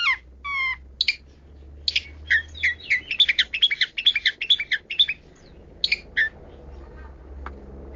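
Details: Long-tailed shrike with 'kaya rasa', a richly varied song: brisk bursts of chattering, squeaky and buzzy notes in a quick uneven sequence, a few scattered twitters after, low background hum.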